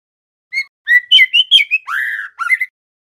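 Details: Learning song of a juvenile trotol male White-rumped shama: separate whistled notes quickening into a rising series, a long rich burry phrase, then a short closing cluster of whistles.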